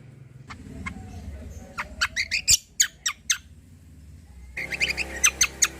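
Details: Cucak kombo in 'tembakan besetan' song. Sparse high chips build into a quick series of loud sharp notes, then a dense burst of high shrill notes over steady low background noise.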